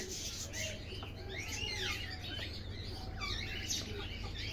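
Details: Golden Buff domestic chickens, an egg-laying hybrid breed: a dense chorus of short rising and falling high peeps, several birds calling at once, with a constant low background hum.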